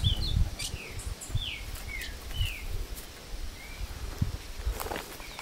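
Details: Breeder's ultramarine grosbeak taken into the woods near Passos, Minas Gerais, Brazil, singing while fighting a wild bird: clear descending whistled notes spaced about half a second apart, with low rumbling background noise.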